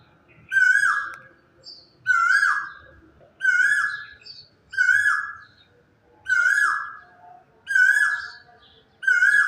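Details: A quail calls in the quiet of early morning: a loud, nasal, harmonic call that slurs downward, repeated about every one and a half seconds, over a faint low rumble.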